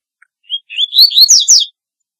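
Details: Corbatita, or double-collared seedeater, singing its calling song: a brief note, a rising whistled run, then several loud sharp downslurs in quick succession, about a second long, in silence.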